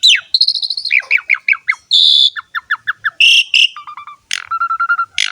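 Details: Asian pied starling singing a lively, fully 'gacor' song rich in varied fill-ins: quick downward-sweeping whistles, a run of repeated chirps, buzzy rasping bursts, and a steady held whistled note near the end.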